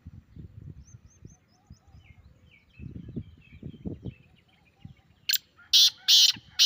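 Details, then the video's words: Grey francolin calling, meant to make a captive teetar call back: faint low rustling and soft distant chirps, then three or four loud, harsh, buzzy notes close together at the end. "یہ آواز تیتر کو سناؤ، آپ کا تیتر بھی بولے گا 🔥 | Best Teetar Calling Sound"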